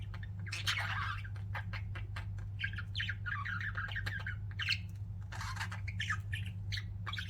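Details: Pet budgies chirping: continuous chatter of short squeaky chirps and warbled notes, over a loud, steady low hum.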